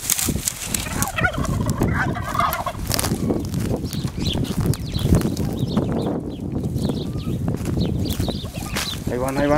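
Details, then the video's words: Turkeys fighting over territory. Bursts of gobbling stand out between one and three seconds and again near the end, over heavy low rumbling and scuffling noise. "guajolotes peleando o changorgos"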